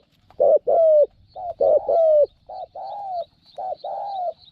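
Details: New caged decoy spotted dove used with a trap enclosure to lure wild doves, praised for a small voice and strong cooing: low, mellow coos in repeated groups of two or three, some notes gently falling.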